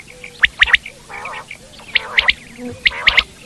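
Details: Common quail in the wild delivering three quick, sharp liquid notes, repeated three times, with a rough nasal burst between phrases and faint low hum beneath.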